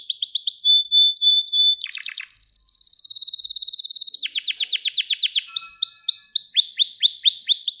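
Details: Gloster canary training song for rousing males and tutoring young birds: varied tours of rapid trills, a level whistled note, a dense buzzy rattle, then lively repeated rising whistles.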